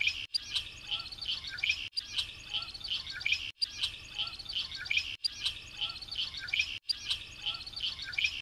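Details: Looped song of a variable oriole (melro de asas): continuous high twittering and whistled chirps, repeated in segments of about one and a half seconds separated by short silences.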